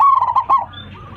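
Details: Local zebra dove calling its flock. One brief, loud burst of quick, bubbling coos on a steady pitch, fading within a second.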